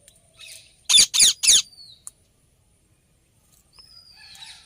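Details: Indian ringneck parrot calling with three loud, harsh, scratchy screeches in quick succession, then a quiet pause and a faint, drawn-out high whistle near the end.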